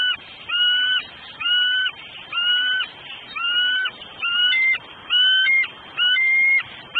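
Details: Southwest Florida nest-cam recording, 9 December 2012 at 3:56 PM: a female bald eagle hollers before the male delivers food, giving eight steady, high, piping notes at about one per second, some with a short upward lift.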